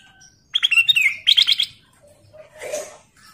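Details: A kutilang emas (bulbul) in lively, full song, offered as a lure call, sings two quick bursts of bright, bubbly chirping notes, each under a second long, followed by a softer, scratchy note.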